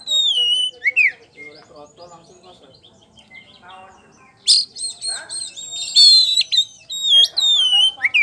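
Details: Champion kacer poci (oriental magpie-robin) in full ngeplong song, used as a lure: bright whistled descending slurs and varied chirps, a quieter lower chattering middle stretch, then dense loud high phrases of sharp notes returning.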